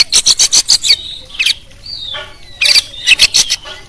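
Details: Tutor song of a champion kacer, full of fill-in phrases for provoking other birds: quick runs of sharp scratchy clicks, then a long, smooth descending whistle, then more rapid clicking bursts.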